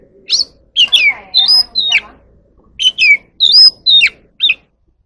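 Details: Wild oriental magpie-robin singing and dancing in the evening: harsher, scratchy notes mixed with short whistled upslurs and downslurs, delivered in separate bursts over faint low background noise.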